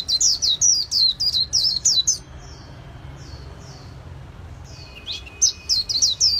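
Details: White-eye belonging to a bird artisan singing in the líu xòe style: fast series of high, sweeping chirps, a quieter stretch of softer notes in the middle, then the bright rapid notes return.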